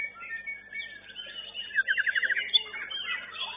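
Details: White-rumped shama (murai batu) singing at a bird singing competition, fourth class: fast jumbled warbling with a rapid trill of evenly repeated notes near the middle, music-like background.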